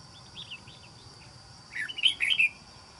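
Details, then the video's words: Red-whiskered bulbul kept as a trapping bird, praised for a good wild island-forest voice, gives a quick burst of bright, warbled chirping notes near the end after softer scattered chirps, over steady faint background hiss. "Bẫy Chào Mào. Mau Mỏ . Bung Xoè.Gốc Mào Cao Dày . Giọng Rừng Đảo Tốt"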